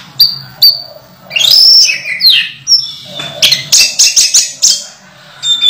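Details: Moulting orange-headed thrush, a kept bird still in full voice, delivers high whistled notes and sweeping slurred phrases, then a rapid run of bright, chattering notes near the end.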